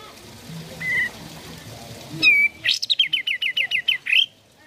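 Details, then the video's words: Song of a sooty-headed bulbul meant to prompt caged birds to sing: a soft whistle, a loud slurred note, then a quick run of about nine sharp, repeated notes. "Terapi Pancingan Kicau Kapas Tembak Gacor"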